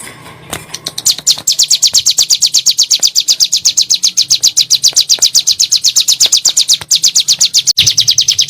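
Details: Bar-winged prinia, a lure recording in the rapid 'nembak' style meant to prompt caged birds to sing: a fast, steady run of sharp high chirps, about four per second, continuing for roughly seven seconds with faint low background hum.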